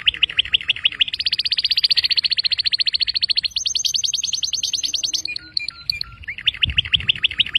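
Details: Canary song of long, very fast, even trills that step from one pitch to a higher one, followed by sharp chips and a brief low thump.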